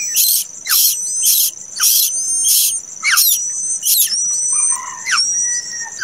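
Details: Late-hatched plaintive cuckoo chick utters harsh, very high, buzzy chirps nearly once a second. Falling squeaks follow some of them, and a few softer lower whistled notes enter near the end.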